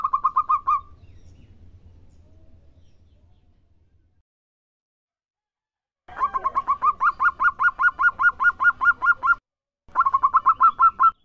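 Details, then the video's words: Local zebra dove song: the tail of a phrase, several seconds of quiet, then a long run of about twenty rapid rising notes and a shorter burst of about nine. The rhythm is brisk and regular. "Perkutut Lokal Gacor"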